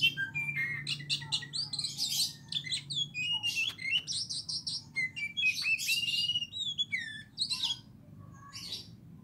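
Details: Oriental magpie-robin of Aceh type, training session, pouring out a dense, varied song of sharp chirps, slurred whistles and buzzy trills at a quick pace, with brief pauses between bursts.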